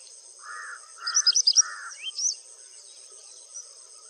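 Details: White-browed wagtail calling in India: three short, harsh buzzy notes, then a quick burst of high chirps and a rising whistled note, over a steady, thin insect-like hiss.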